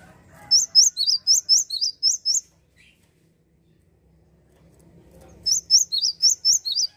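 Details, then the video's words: A singing Java sparrow, played to rouse rival birds, gives two phrases of rapid, high, ringing chirps, roughly eight then six notes, each note dipping and rising, with soft low rumble in the pause. "SUARA AMPUH GELATIK GACOR bikin Emosi burung lawan"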